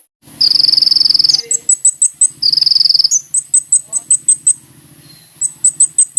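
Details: Kolibri ninja sunbird in full, lively voice, meant to provoke a response: long, dense, buzzy high trills alternate with series of separate sharp, very high chips given about three per second, over a faint low hum.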